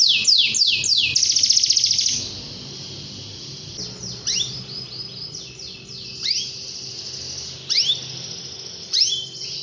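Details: Canary giving a loud, fast rattling trill at first, then scattered single swept chirps separated by pauses, over a faint low background hum.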